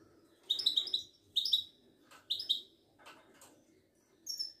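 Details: Moroccan European goldfinch, Wedani type, caged at a Casablanca bird market, sings clipped metallic twitters in short bursts spaced under a second apart, with quiet pauses and a high thin final note.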